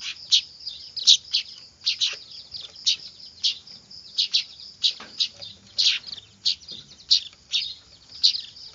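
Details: Noisy weaver chicks recorded for use as a lure, giving rapid shrill chirps and squeaky notes in an uneven stream, louder peaks coming about every half second above a continuous high-pitched chatter.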